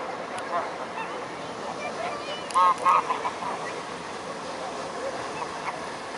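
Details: A swarm of mute swans at Blaues Wunder, 22 May 2016, 19:25 in the evening: two loud, quick nasal call bursts near the middle, with fainter calls and steady background noise.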